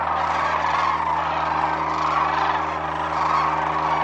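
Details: Sandhill cranes wintering at Whitewater Draw Wildlife Area, Arizona: a thick chorus of distant trilling crane voices blends into a steady roar, with faint rolling calls rising now and then over a low hum.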